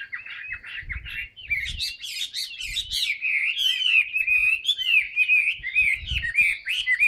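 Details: Chinese hwamei kept in a cage, newly molted, singing with its tail fanned. Fast, varied song of bright whistles and rapid trills runs continuously. Brief choppy notes open the song, and dull low knocks sound now and then.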